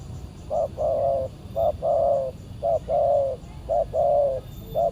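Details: Aggressive wild spotted dove responding to a decoy used for trapping; a steady rhythmic series of paired coos, a short note followed by a longer one, repeated about once a second over low background rumble.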